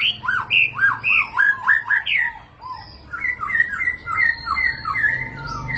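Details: White-rumped shama song used to draw a response from other murai batu: rich mellow whistles repeated in a bouncing rhythm, then a softer sequence of short warbled notes, with a low background rumble.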